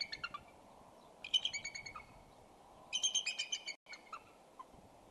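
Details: Bald eagles during mating at the Decorah nest on a February morning in 2012: two bursts of shrill, stuttering, harmonic chattering notes in quick series, separated by quiet gaps, with a few scattered single chips and a soft hiss behind.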